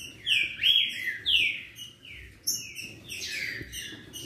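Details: Green-winged saltators singing against each other to excite a listening bird: loud clear whistles sliding downward, repeated in overlapping phrases roughly every second, fading slightly toward the end.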